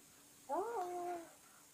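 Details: Pet parrot saying "bye bye" each time its owner leaves the house: a single drawn-out, tonal spoken-sounding word that rises and then levels off, with a faint steady background hum.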